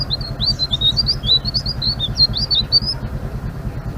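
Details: Blue-winged leafbird in full ngeriwik song, a continuous stream of high, wavering whistled notes for about three seconds, then quiet, with a constant low mechanical hum underneath.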